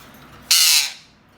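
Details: Loud parrot call: a single harsh, noisy screech lasting under half a second, then it fades into quiet.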